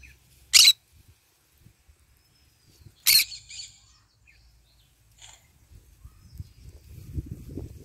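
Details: Green-cheeked conure in the morning sun, eating and basking; two sharp, harsh squawks about two and a half seconds apart, faint soft chatter after them and low rustling toward the end.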